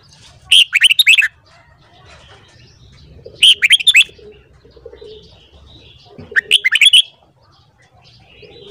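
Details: Morning song of a red-whiskered bulbul, three quick phrases of bright, slurred whistled notes, each phrase about a second long and spaced roughly three seconds apart, over a quiet low hum.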